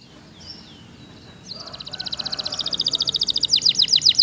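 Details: Waterslager canary: faint notes at first, then a fast pulsed trill that grows louder and ends in sharp, repeated swooping chirps.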